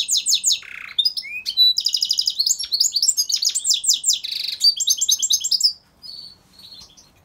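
A goldfinch mule sings a fast, varied run of bright twittering trills, buzzy rattles and sharp chirps.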